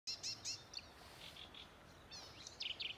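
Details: Marsh warbler singing from bushes at Älvkröken on the Ljungan river, Njurunda, 14 June 2021: a quick string of varied high chirps and buzzy harmonic notes, some repeated, with a fieldfare nearby adding chattering song.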